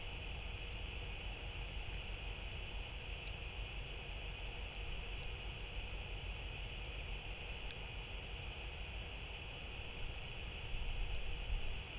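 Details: Steady wind-like rumble and hiss throughout, with a constant high hum and no animal calls.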